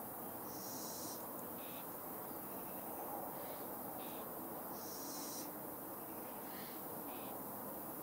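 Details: Fledgling Little Owl producing two long, high, rasping hisses about four seconds apart, each trailed by short, lower wheezy notes, over steady background noise.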